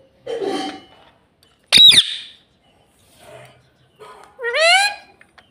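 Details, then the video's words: Pet ring-necked parrot, kept at home and taught to talk, producing squawks, a sharp screech and a rising, harmonic-rich vocal note separated by short silences. "Mummy mummy bolne wala tota - Talking parrot - Mitthu mitthu"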